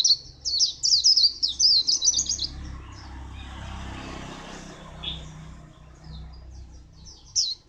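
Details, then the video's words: A white-eye from Phù Yên, recorded 2 October 2015, pours out a rapid, high jumbled twitter for about two seconds, then falls mostly silent apart from a few scattered thin chirps and a final sharp note. "Chim vành khuyên hót rất hay"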